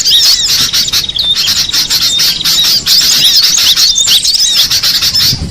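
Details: Wild cinereous tit giving a steady stream of sharp, high twittering notes and quick rising-falling whistles, many overlapping with no pauses.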